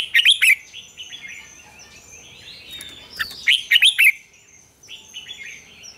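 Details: Red-whiskered bulbul singing its double-note, mature wild-style morning song, recorded as a training lure for other bulbuls. Two loud bursts of quick, rich, tumbling notes are separated by a quiet stretch where distant birds whistle softly.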